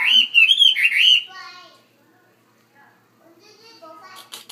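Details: Chinese hwamei housed in a bigger cage giving a loud burst of fluid, looping whistled notes for about a second, then fading into soft scattered sounds and near silence.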